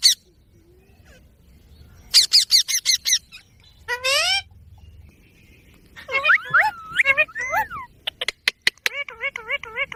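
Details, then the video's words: Indian ringneck parrot in a village ground, giving rapid high chirps, then wavering nasal calls and a fast run of repeated warbled notes, with a few sharp clicks. "mitthu ki awaz"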